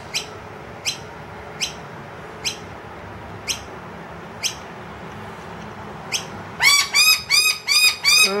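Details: Inside a room, a wild noisy miner accompanied by two young loudly demands more food from an emptied feeder. Spaced, clipped high notes lead into a sudden burst of rapid, loud, ringing repeated calls.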